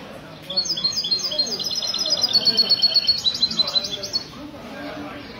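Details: Goldfinch in mistou style singing on a Sunday morning at a café in Ksar el-Kebir, 16 February 2020: a fast, steady run of bright repeated high notes lasting several seconds, over murmuring voices.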